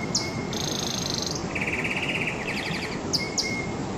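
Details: Canary singing sustained high rolls of rapid repeated notes, one long high trill and then lower, faster trills, with brief sharp chips and a thin whistle, over constant low background noise.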